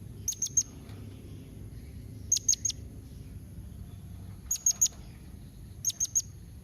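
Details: Blue-crowned hanging parrot calling so that other hanging parrots will answer; four evenly spaced bursts, each three very short, thin, high chips, against a faint low background.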